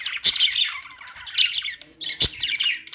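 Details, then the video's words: Budgie chorus of raspy warbling and sharp clicks, two loud bursts standing out above a continuous chattering background. "budgies singing | budgie sounds | parakeet chirping sounds"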